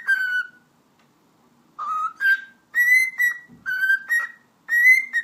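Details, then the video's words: Pet cockatiel at home whistling a tune: clear harmonic-rich notes, one long note, a pause, then short paired notes rising and falling in a lively melody; quiet room. "Sultan Papağanı Konuşması - Eşek Sıpası Diyor"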